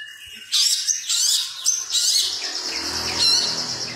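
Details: Competition long-tailed shrike in captivity, 2020, singing imitative material for training other songbirds; a quiet start gives way to loud rapid chips and thin whistled trills, with a faint low rumble underneath.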